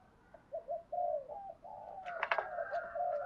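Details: Decoy spotted dove cooing to draw wild doves into calling. A faint, steady run of low, soft coos sounds over background hiss, broken midway by a few sharp clicking knocks.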